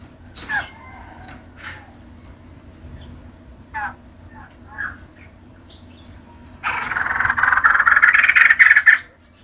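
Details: Female white-crested laughingthrush singing actively: scattered faint chips and soft notes at first, then a loud, dense rattling chatter lasting about two seconds before stopping abruptly.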